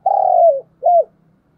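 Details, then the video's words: A decoy spotted dove in the morning gives a single long, slightly rough coo that slides down at its end, followed by a shorter arched coo, with a faint low hum underneath. "Chim Cu Mồi Gáy Gọi"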